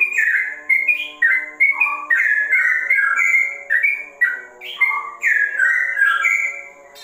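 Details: Sooty-headed bulbul singing ropel style, said to resemble a straw-headed bulbul: a continuous stream of bubbly, whistled, down-slurred notes, several per second, with a faint constant hum behind.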